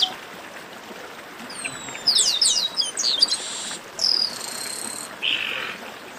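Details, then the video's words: Chestnut-capped blackbird in esquenta song. A cluster of sharp, high downslurred chirps, followed by sustained bright whistled notes and a buzzy band of sound. "Melhor Esquenta de Garibaldi"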